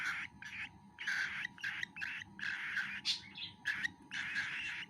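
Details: Cockatiel chick while being fed, producing rapid bursts of raspy chirping begging calls in short uneven pulses, many in five seconds.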